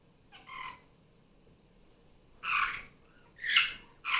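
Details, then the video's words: Pet female superb parrot off her nest and noisy again during morning play. One raspy squawk is followed by a silent gap, then three loud, harsh squawks in quick succession indoors. "Barraband parakeet sounds"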